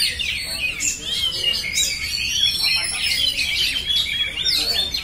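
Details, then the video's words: Nonstop singing from an oriental magpie-robin, with bright high whistles and quick chirping phrases in bursts, sharp upward-sweeping notes standing out among the busy trills. "kacer phonix ngerol abis"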